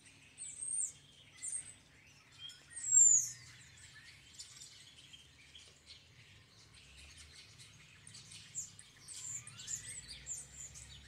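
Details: Many starlings calling together from a tree: sharp high whistles and squeals, one loud slurred note near three seconds, then a steady wash of thin chatter with brief bursts near the end.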